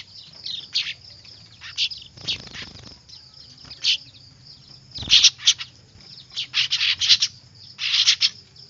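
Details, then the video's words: Noisy weaver (manyar) chicks used as a lure: scattered shrill chirps at first, then clustered runs of loud, rasping high calls, with a thin steady whine in the background. "Suara anakan burung manyar ribut"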